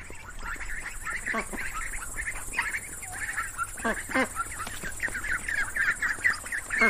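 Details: Ducks quacking in a busy group, with overlapping raspy, nasal quacks and chatter running continuously over a steady background hiss.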